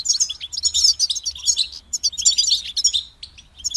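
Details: A goldfinch pours out a dense, sparkling warble of high chirps, rattling trills and liquid notes, barely pausing, the song meant to motivate other goldfinches to sing.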